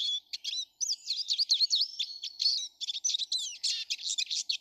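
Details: A garden full of Eurasian siskins, 19 March 2013; a steady high twittering of quick chirps, short trills and a few thin slurred whistles.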